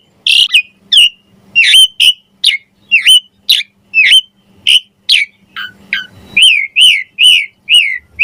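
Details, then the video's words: Javan pied starling song for training songbirds: regular sharp whistled notes about twice a second, then a closing series of looping rising and falling whistles. "Suara Jalak Suren Gacor Mompa Variasi Isian Mewah Cocok Buat Masteran & Pancingan Burung Jalak"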